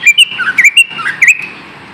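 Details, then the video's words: Lesser green leafbird singing a brief lure phrase for idle kept birds, with a handful of sharp, bright chirps and downward-slurred whistles packed into about one and a half seconds. "SUARA PANCINGAN BURUNG CUCA IJO AGAR TIDAK MALAS"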